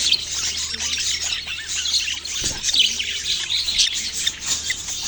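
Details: Budgerigar chicks giving a steady wash of high-pitched chirps and short squeaky tweets, many birds calling at once with no pauses.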